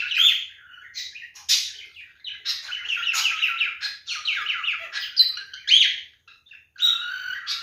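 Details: Pet male cockatiel giving its mating call, a busy stream of warbling chirps, short whistles and scratchy squawk-like notes, almost unbroken with brief pauses near the end.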